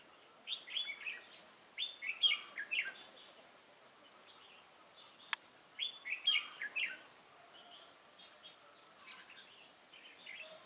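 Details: Red-whiskered bulbul, a wild-caught bird, in contest singing recorded on 22 October 2018; clusters of quick chirpy, warbling notes repeat in loose groups about every four seconds, with one sharp click midway.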